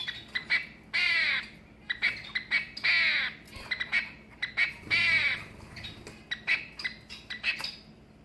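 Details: A captive long-tailed (shafttail) finch, temporarily in a small cage, gives three harsh, raspy crow-like caws about two seconds apart among quick sharp chips and clicks; reportedly only males make this courtship sound.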